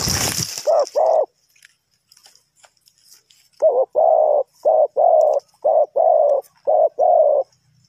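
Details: Spotted dove cooing during wild bird trapping: after a sharp noisy burst, a short pair of low hollow coos, a pause, then a run of six more coos in quick rhythmic sequence, the longer notes alternating with shorter clipped ones.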